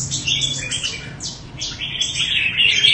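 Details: Red-whiskered bulbul from Quảng Nam, Vietnam, giving a fast, busy run of bright chirps and short sweeping whistles, high-pitched and nearly unbroken over three seconds, with faint low background hum.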